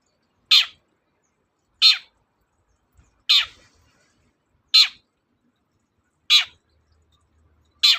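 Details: Long-tailed shrike, recorded as a lure for shrikes that won't sing: six strident, grating calls that fall in pitch, repeated every one and a half seconds or so, in near silence.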